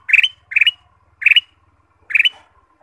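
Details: Ruby-throated bulbul singing for a recording meant to stimulate caged birds: four lively chirped bursts with short gaps, over a soft low ticking hum.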